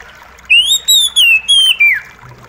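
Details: Kacer, the Oriental magpie-robin, in a therapy recording for a stressed kacer that has stopped singing: five loud, clear whistled notes in quick succession, sliding up then gently down, over a soft background hiss.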